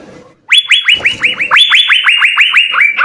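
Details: Asian fairy-bluebird singing persistently, a master recording for training songbirds: a fast, even chain of rising whistles, about five per second, beginning after a short silence.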